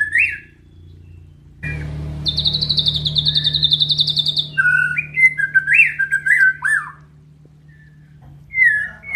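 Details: White-rumped shama (murai batu) song: a whistled opening, then a long, fast pulsing trill, followed by looping slurred whistles and a final brief phrase, with a constant low hum underneath.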